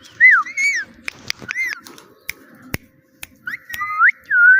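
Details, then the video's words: Parrot saying "Mitthu" in whistled, bending tones at the start and end, with a quieter stretch of clicks and soft noise in between. "Funny Parrot Talking – Mitthu Mitthu Moments!"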